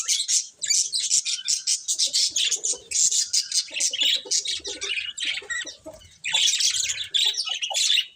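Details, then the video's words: Chirping budgies give bursts of rapid, pulsed warbling notes in quick succession, rhythmic and scratchy, with short gaps between phrases. "Cute Budgies Chirping Sounds"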